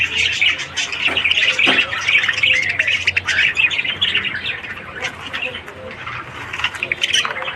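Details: Morning chatter of Australian budgerigars: continuous overlapping chirps and rapid squawks, about two or three notes per second, with several louder sharp clicks early on and steady mid-pitched warbling throughout.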